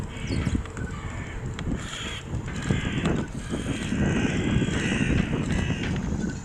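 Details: A small flock of starlings at Porto Torres harbour, Sardinia, on the night of St Andrew's Day (30 November) 2014, makes a dense wash of harsh, grating chatter over a heavy low rumble of wind and harbour noise.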